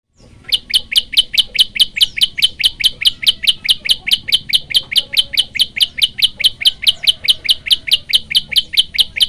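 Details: A Bar-winged Prinia (mossy prenjak), used as a training recording for other birds, delivers a single-breath 40-second volley of sharp, high chipping notes, about five per second, evenly paced throughout.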